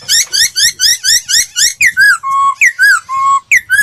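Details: Laughingthrush training song with a rapid, even series of rich upslurred notes, about twice a second, then longer level whistles alternating with falling phrases.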